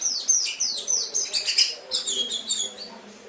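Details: Canary on a tutor track for pet birds: dense cascade of very high, quick, downslurred chirps and trills, bubbling continuously and fading slightly at the close.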